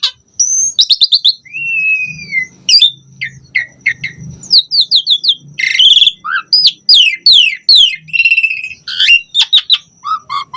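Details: Varied gacor song of an Asian pied starling: a long falling whistle, then dense rapid chatter, ticking series and buzzy high notes packed into an almost unbroken stream over about ten seconds.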